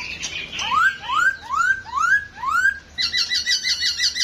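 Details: A dancing masked laughingthrush delivers five loud upslurred whistles about half a second apart, then breaks into a fast, harsh chattering series.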